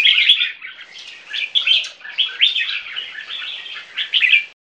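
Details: Two 3-month-old Viet-Thai crossbreed red-whiskered bulbuls sing against each other in bright, chattering phrases of warbled notes, rising and falling quickly, with no other sounds.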